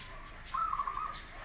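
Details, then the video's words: Zebra dove, local or crossbred perkutut, singing a short master song used to lure other doves into answering: one quick run of rippling, trilled cooing notes lasting about half a second, with a faint hiss behind it. "Suara perkutut lokal vs Krosing cocok untuk masteran pancingan langsung Nyaut"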